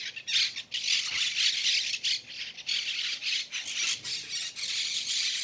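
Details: A flock of parakeets squawks continuously around a camper-van site near Málaga, Spain, harsh screeching calls overlapping in a constant noisy chatter.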